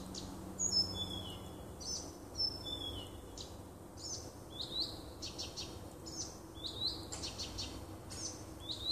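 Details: Nightingale in a small wood close to a dwelling, 30 June 2015: a sequence of high flat whistles, then rising swoops and sharp clicks delivered in quick succession.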